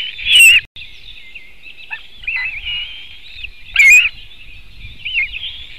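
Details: White-tailed eagle at its nest, filmed by a webcam in Latvia in 2018: two loud, harsh, squealing calls about three seconds apart. A steady background of many small birds chirping and twittering runs throughout.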